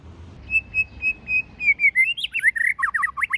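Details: White-rumped shama with forest-style singing: four evenly spaced, steady high whistles, then swooping slurs breaking into a rapid, jerky sequence of looping notes.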